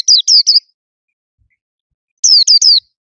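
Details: Two short phrases of three quick, high, down-slurred notes each from a loudly singing caged white-eye, separated by a pause.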